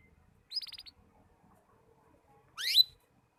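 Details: Young canary learning to sing, its song still broken into pieces: a quick burst of buzzy repeated notes, then silence, then a short sweeping phrase rising sharply near the end. The background is quiet.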